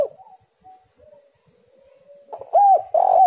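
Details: Spotted dove (tekukur) song used as a lure to make doves sing: faint wavering whistles first, then two loud, husky, arched coo notes close together at the end.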